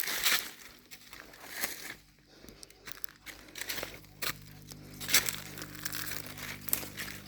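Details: Crinkling rustles and crunching footsteps mix with faint speech, with no animal calls heard.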